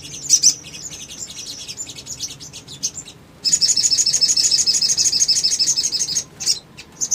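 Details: Little spiderhunter male song played to provoke responses from other birds. Scattered high chirps lead into a long, very fast, even series of sharp notes lasting about three seconds, then a few final chips.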